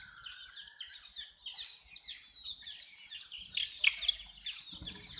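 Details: Desi baby chickens drinking water: rapid overlapping high peeps, about four a second, falling in pitch, with a brief louder clatter and low knocking near the end.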